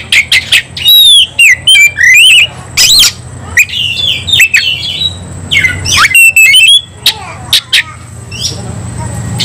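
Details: Aggressive, highly excited Oriental magpie-robin: rapid high whistles with looping slides, harsh squawk-like bursts, and a quieter stretch of softer notes in the middle.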